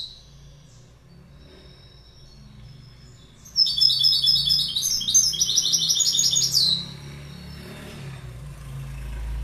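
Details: After a quiet opening, a goldfinch breaks into three seconds of loud, rippling, high twittering with bell-like repeated notes, then stops abruptly, leaving a low background hum.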